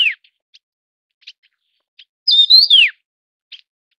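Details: Taiwan yuhina, endemic to Taiwan: the end of one falling slur, scattered faint ticks, then one full loud whistled phrase. It has a flat start, a twisting rise and a steep downward glide.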